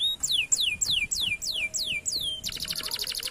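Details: Canary lure song, played to prompt silent canaries to start singing: a row of clear whistled notes sliding downward, repeated about three times a second, then a fast, dense buzzing trill.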